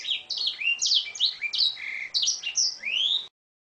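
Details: Oriental magpie-robin song with canary-style phrases, recorded for training birds: a dense, fast run of varied whistles, chirps and upward-sweeping notes that shift pitch constantly, ending abruptly with silence.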